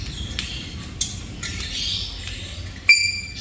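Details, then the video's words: Black-capped lory, a talking parrot, bursts into one sudden, loud, harsh squawk with stacked harmonics near the end, after a few brief clicks and scratchy rustles over a steady background hiss. "Burung Nuri Kepala Hitam Warnanya Yang Indah Dan Bisa Ngomong"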